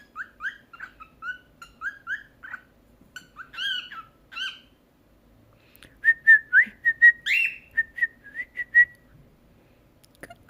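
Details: Pet cockatiel learning to talk and sing at home, delivering a busy warbled song. Rapid chirpy whistles and a few harsher notes come in quick succession, then a rhythmic run of clear, evenly spaced whistles before falling quiet.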